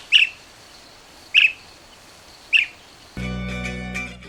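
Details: Blue-tailed bee-eater (Merops philippinus), Sri Lanka, call: three rolling trilled chirps about a second apart, then music comes in at the end.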